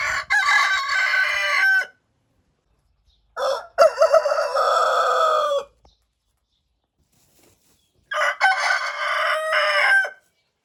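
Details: Roosters crowing: three loud, harsh, harmonic crows, each lasting about two seconds, separated by several seconds of silence. The first and third crows are cut off at the clip's edges. There is no other background sound.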